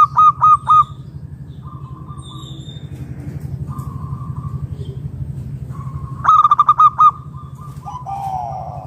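A zebra dove gives quick bursts of soft, bubbling coos, each a rapid run of three or four clipped notes, with a second dove answering more faintly over a low hum.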